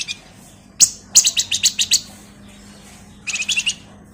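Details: Caged male flamboyan, sung as a lure in a gacor style: a sharp single chip, then a quick series of high, bright chattering notes, a pause, and another short rapid burst.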